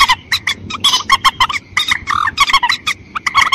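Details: White-breasted waterhen calls used to lure birds in rice fields: continuous, chattering run of nasal, harmonic honks and a few downward-curving notes, fairly even in loudness.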